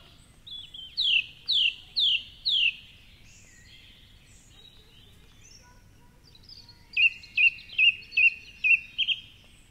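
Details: Song thrush singing before dawn at 4.45am on a Sunday in Cork City, Ireland, from a favourite perch atop a tall tree by the Curragheen River path: a bright whistled note repeated four times, a pause, then a sharp phrase repeated five times.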